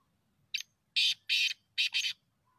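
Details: Black teetar, the black francolin, calling for the hunt: one loud, buzzy five-note phrase, a brief sharp note, two long grating rasps, then two rapid joined rasps, set against a still, quiet background.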